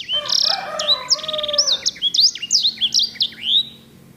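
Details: Grey singing finch singing a rich, rolling song used to train canaries: high rattling trill and rising whistles, then a steady string of sharp downward-sweeping notes; a lower drawn-out crowing-like call is heard underneath at first.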